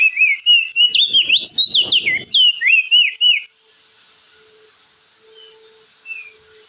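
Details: Crested jay shrike song played as a lure for a silent bird: a rapid run of loud, twisting whistled notes for about three seconds, then fainter scattered whistles over a steady high hiss.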